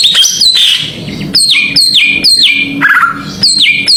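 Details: Greater green leafbird song serving as a lure to provoke other birds: repeated loud whistles falling steeply in pitch, about two per second, with one low rattling note between them.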